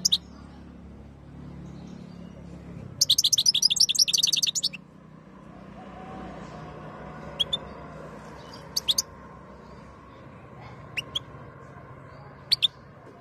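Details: Goldfinch in breeding condition, ready to mate, kept by an Algerian bird breeder: a rapid, sparkling twittered phrase of about two seconds, then scattered sharp high chirps over a steady background hum.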